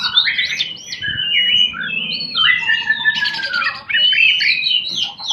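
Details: Oriental magpie-robin (kacer) singing a rich, varied song of clear slurred whistles, rising and falling phrases and brief harsh buzzy bursts, delivered almost continuously with few pauses.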